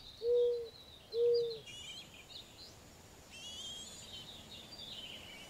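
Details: Mourning dove during feeding of its young: two short, loud, low hooting coos about a second apart, then high twittering and chirping from other birds.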